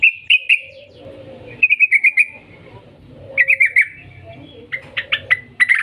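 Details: Yellow-vented bulbul song used as a lure to get bulbuls singing, in long rolling phrases: bursts of rapid bubbly notes repeated in quick runs, separated by short pauses, with a softer low note between phrases.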